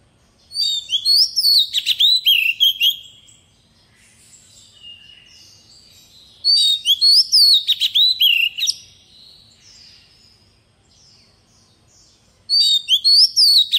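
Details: Decoy Oriental magpie-robin singing its wild-style forest song: three bursts of rich, varied whistles and sharp chirps, each about two seconds long and roughly five seconds apart, with a few soft notes between them.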